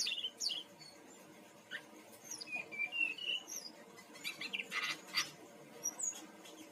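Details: Brown-chested jungle flycatcher from Bali, used as a singing lure: scattered high whistled phrases and quick chirps, including a wavering whistle and brief buzzy bursts, separated by short pauses.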